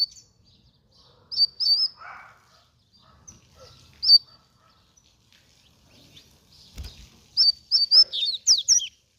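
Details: Free-flying double-collared seedeater with short high whistled notes spaced apart, a low thump, then a rapid burst of sharp, slurred, up-and-down whistles near the end.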